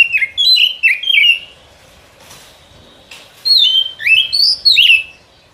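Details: White-rumped shama song played as a trapping lure in the forest; short bouncing downslurred whistles, a pause, then a lively series of rising and falling whistled notes.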